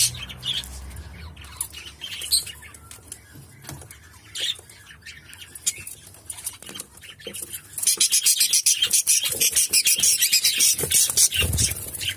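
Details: At a nest where the female has just laid a new egg and the male turns the eggs, a cockatiel pair makes scratchy chirps and squawks, ending in a fast run of rasping, hissy calls.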